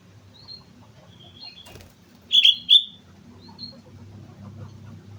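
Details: Sooty-headed bulbul from Mount Slamet, singing actively: two loud, bright, clipped notes in quick succession near the middle, with faint scattered chirps before and after over a low background rumble.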